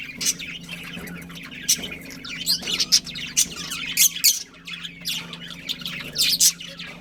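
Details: Chattering budgies from a pet breeding pair: scattered high chirps and scratchy warbling notes, irregular bursts across seven seconds over a faint steady hum.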